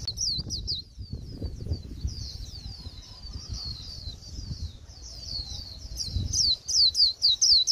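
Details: Japanese white-eye at the end of the season singing a bland líu song: high, thin downslurred notes repeated about four times a second, quieter and blurred mid-clip, clearer near the end, over low rumbling background noise.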